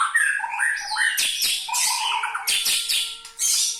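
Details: White-rumped shama (murai batu) from Indonesia delivering a full isian song: loud, fast-changing whistled phrases mixed with buzzy bursts and sharp chips, packed tightly with barely a pause, over a faint steady background tone.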